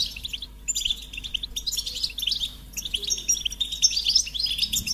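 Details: Goldfinch song in bursts: lively twittering phrases of quick high notes and trills, a short quiet gap near the start and another midway.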